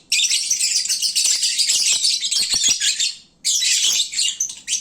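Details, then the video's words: Lovebirds in the middle of the day, full and sleepy and very loud: about three seconds of thick, shrill chattering, a short pause, then the squeaky chorus resumes. "Kicauan Lovebird saat mengantuk"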